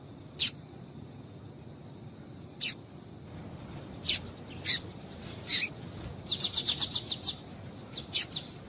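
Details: Female double-collared seedeater calling to excite males to sing: single high chips at intervals, building to a rapid rhythmic series of bright chirps, then a few more spaced notes.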